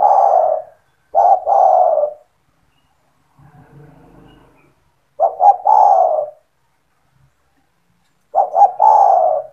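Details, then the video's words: Kept spotted dove cooing energetically to entice other doves to call: four low phrases of stuttered short notes and a long coo, with a faint low rustle in one gap. "SEMUA TEKUKUR / DERKUKU AKAN TERPIKAT DENGAN SUARA TEKUKUR GACOR INI"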